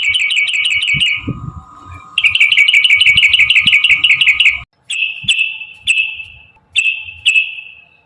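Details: Sooty-headed bulbul in a long, energetic trill meant to stimulate caged birds to sing: two fast runs of rapid ringing chips, a brief silence, then three separate clear falling notes.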